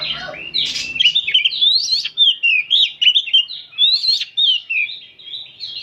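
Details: Oriental magpie-robins singing in a group during the afternoon, meant to train kept birds to spread their tails; clean, loud, rapidly varied whistled notes in short bursts about every half second, with little background.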